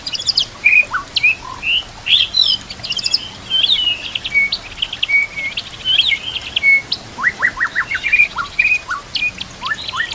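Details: Caged-training song of a white-rumped shama, its repertoire filled with imitations of other birds including canary: varied loud whistled phrases, rising and falling slurs, then rapid bursts of sharp chirps near the end, over steady trickling-water hiss.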